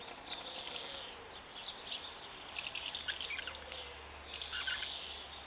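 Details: House martin defending its nest, even against its partner, 20 May 2015: dry, chirruping twitters in four short bursts about a second apart, over a faint steady background hum.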